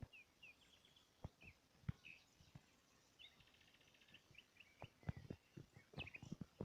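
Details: Small birds in a green vegetated landscape chirp in short, high, scattered notes and brief trills, over a low rumble of background noise with occasional clicks and knocks.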